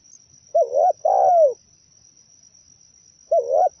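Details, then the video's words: Zebra dove song for luring and trapping other zebra doves: a trilled two-part coo, short wavy note then a longer descending purr, with the next phrase starting about three seconds later; steady faint high hum behind. "Suara pikat burung perkutut paling mantap"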